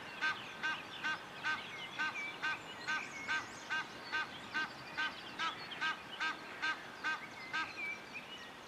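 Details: Egyptian goose on the Moselle, Rhineland-Palatinate, Germany, calling in a long steady series of harsh, nasal honks, roughly two to three per second, around twenty notes without a break, over faint background hiss.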